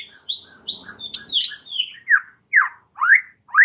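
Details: White-rumped shama singing vigorously to provoke rival males: a sequence of separate whistled phrases, the later ones loud, slurred upward sweeps spaced about half a second apart.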